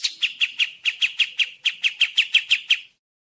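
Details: Sooty-headed bulbul of the kapas tembak type: a short run of about fourteen crisp, slightly buzzy chip notes, delivered quickly and evenly, then silence.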